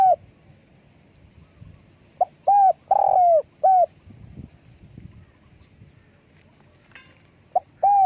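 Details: Spotted dove calling with wing flapping; two bursts of hollow low coos, short notes around a longer drawn-out middle coo, separated by quiet with faint low rustling.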